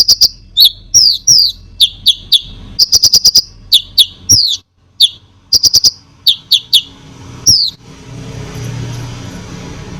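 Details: Provocative konin song: a lively mix of falling slurred whistles, quick chirped bursts and single sharp notes for about eight seconds, ending in a soft hiss of background noise.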